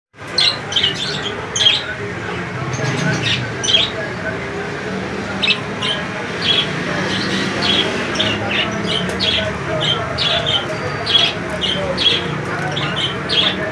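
Budgerigars chatter in a steady stream of short, high chirps and squawks over a low background hum.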